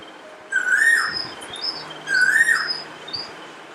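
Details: Parrot filmed in the morning with natural sound, giving two loud harsh rising-and-falling screeches about two seconds apart, each followed by a brief higher squeak, with a faint low hum beneath.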